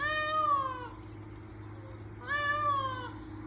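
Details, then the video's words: An Indian peafowl (peacock) on a hobby farm gives two loud, nasal, cat-like wails about two seconds apart, each sliding slightly downward, over a steady low hum. "Have you ever heard a peacock noise? Here is what Peacocks calls sound like! cats calling"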